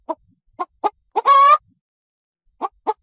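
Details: Chicken on a farm with a few spaced, throaty clucks around a single long, harsh, rising squawk, then two more clucks after a short silence.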